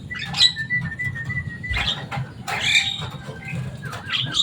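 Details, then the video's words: Caged pet Javan myna, a bird kept for its loud, noisy voice and its ability to mimic speech, giving a short run of calls: a thin steady whistle, then harsh scratchy bursts, with a low rumbling hum in the background. "Burung jalak kebo selain suaranya yang rame"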